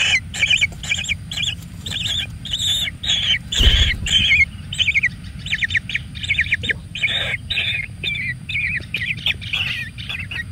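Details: A kingfisher chick being pampered and fed plenty of food, giving rapid harsh squawking bursts repeated about twice a second, in rough, insistent clusters over a steady low rumble.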